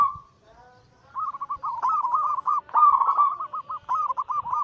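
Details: Zebra dove anggungan song used for luring birds and coaxing silent ones to sing. A long coo leads into a rapid string of evenly pulsed, bubbling notes that swell and continue to the end.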